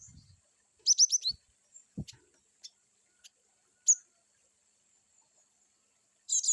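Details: Cinereous tit (gelatik batu) with one rapid burst of five high, slurred chirps, followed by isolated sharp ticks and a brief final phrase; a few dull low thumps are heard.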